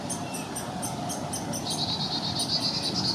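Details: A hungry Downy woodpecker chick pokes its head from a nest hole in a river birch grove in Hermann Park, Houston, Texas, and begs its parents for food. It gives quick, very high ticking notes, several each second, that turn into a continuous buzzy rasp over a background hiss.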